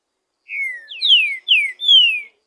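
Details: Green-winged saltator singing free in the wild: a full phrase of four clear, falling whistles. A softer opening note leads into three bright downslurs, the final one drawn out. No other noise.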